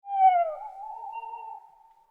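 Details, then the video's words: An owl gives a single drawn-out hooting note that slides slightly down, then levels off and fades after about a second and a half, with no other sounds. "Owl Sound"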